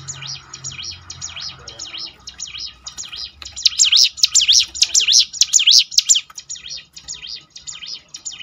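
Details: Ciblek gunung, a brown prinia, singing to spur other birds into song: faint at first, then loud from the middle, a fast run of high, looping whistled notes rising and falling in steady succession, easing off toward the end.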